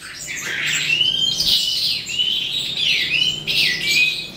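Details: Eastern calandra lark (psammochroa subspecies) beginning to sing at the end of the day: a dense, scratchy high warble with sliding whistled notes swooping up and down, delivered almost without pause.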